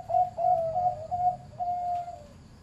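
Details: Zebra dove, a farm-kept bird with a medium-pitched voice, giving a clear mid-pitched cooing phrase of short warbling notes followed by longer steady tones, slightly falling at the end.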